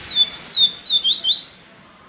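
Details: Yellow-bellied seedeater delivering a viviti song phrase: six loud, pure whistles in quick succession, each a short downward slur, the final note pitched higher than the rest, then silence.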